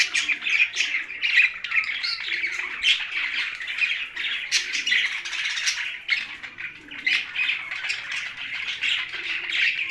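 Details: Constant high chirping and twittering from budgerigars kept with parrots in Larkana, Sindh; the chatter swells and dips over ten seconds, with soft low cooing notes in the background.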